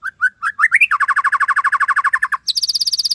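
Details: Tembakan Cililin song of a white-rumped shama: climbing rising whistles lead into a long, even volley of rapid repeated notes, then a very high, fast metallic trill; a man's voice briefly follows.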